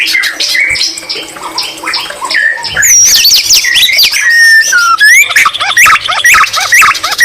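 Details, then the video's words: A white-rumped shama in full voice, with greater green leafbird imitations woven in: chattering scratchy notes build into loud looping whistles, high sweeping slurs and rapid repeated chips, varied and unbroken. "Murai batu isian cucak ijo Gacor Mewah"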